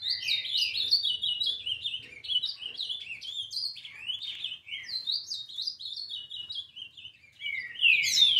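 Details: Eleven-month-old female-plumaged ultramarine grosbeak sings a long, fast warble of high slurred notes, about three a second, rising and falling without pause; the background is quiet.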